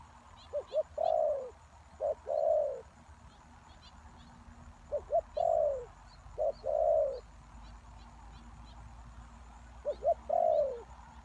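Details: Spotted dove used as a lure for wild doves, giving phrases of two quick low notes followed by a long descending coo, spaced a few seconds apart, with faint high chirps of other birds behind.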